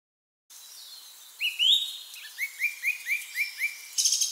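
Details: Song thrush singing: after a bright rising whistle comes a phrase of about seven short, clipped notes repeated at an even pace, over a wash of other high birdsong in the background.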